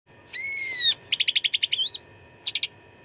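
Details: Cucak ranting delivering a full-fill fighting song for contest-bird training: a long steady whistle, a rapid chattered series rising into a twisting slurred whistle, then a brief cluster of sharp notes.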